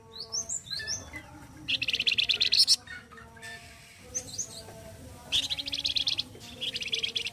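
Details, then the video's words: Loud gacor kasar singing of a flamboyan bird, used to teach other birds. Quick upslurred whistles alternate with three bursts of dense, buzzy, high rattling trills, each lasting about a second. "GACOR KASAR SEPERTI INI YANG SERING DI CARI UNTUK MASTERAN .KICAU FLAMBOYAN"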